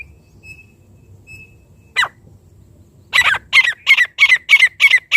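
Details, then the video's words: Francolin calling, a sound played to call partridges in: faint thin whistles and one harsh burst, then a loud series of harsh, ringing notes about three per second that starts abruptly and keeps going. "चंद मिनट में तीतर बुलाने का साउंड 🎶Sound of calling partridge in few minutes | francolin calling"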